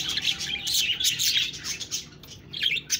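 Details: Quick bursts of high budgie twitter and squeaky warbling notes, loud at first, then softer, then rising again at the close.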